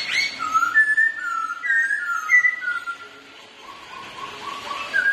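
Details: A pair of Black-throated laughingthrushes sing in rivalry and dance. Mellow, varied whistled phrases glide up and down, then quieter repeated short whistles follow, and a rising whistle closes the passage.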